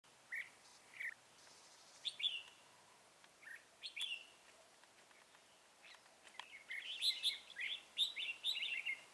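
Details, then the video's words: Red-whiskered bulbul used as a decoy for trapping wild birds, recorded outdoors on 2 November 2018: scattered short warbled and chirped phrases, more lively and overlapping near the end, over steady background hiss. "Bẫy chào mào"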